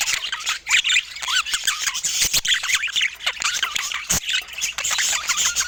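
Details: Several budgerigars chattering at once: dense, rapid warbling and squeaky chirps, with short rising and falling whistled notes overlapping without pause and a few sharper clicks.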